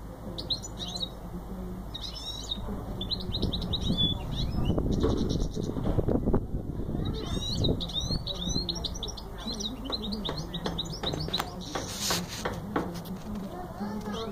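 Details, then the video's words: Singing goldfinch mule giving rapid chirps and warbled twitters in bursts, with loud rustling and clattering noises in between and a continuous low hum and tone behind. "Goldfinch mule singing"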